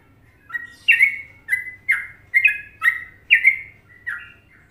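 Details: Indonesian sooty-headed bulbul in a popular Trucukan song rhythm: seven clear, mellow fluted notes, each a quick rising then falling slur, evenly spaced about half a second apart against a quiet background.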